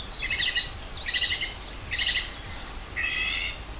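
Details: Birdsong at Rogozyanske Reservoir, Kharkiv region, on 4 April 2010. A bird repeats a short, rich, buzzy twittering phrase about once a second, four phrases in all, with low background rumble.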